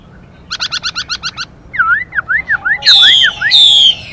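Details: Chinese hwamei pair, the female giving fast hissing calls to excite the male: a quick series of eight harsh buzzy notes, then repeated down-up slurred whistles and loud ringing drawn-out whistled notes.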